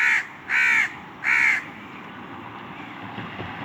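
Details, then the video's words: Crow giving three harsh, hoarse caws in quick succession over the first second and a half, followed by a steady low background hum. "Crow call | Crow sounds | Crow sound effect"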